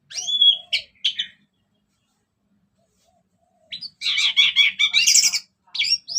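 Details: Orange-headed thrush singing ngeplong-style, used to stir other birds: a clear whistled slur and a short note, then silence, followed by a long, dense stretch of scratchy, chattering mixed phrases.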